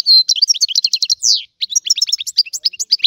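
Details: European goldfinch from Sicily in old-style song, opening with a sustained high note, then rapid liquid twitters, a buzzy slur, and fast jumbled chirping phrases.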